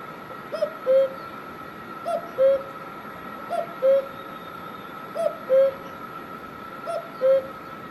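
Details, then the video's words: Cuckoo heard in Himachal Pradesh, India; five two-part calls, each a quiet higher note dropping to a louder, mellow lower hoot, spaced about every one and a half seconds, with light clicking in the background. "Cuckoo Bird Sound"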